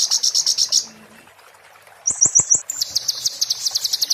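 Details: Oriental white-eye tutor song in the 'muntah beling' style for magpie-robins and shamas: a rapid high trill, a pause, four quick sharp notes with low clicks, then a longer run of evenly repeated piercing notes.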